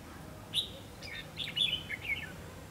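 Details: Red-whiskered bulbul used as a decoy at a trapping site in Hòa Chanh to lure wild bulbuls: short bright whistled notes and quick slurred phrases, high and sweet, with a brief pause between bursts.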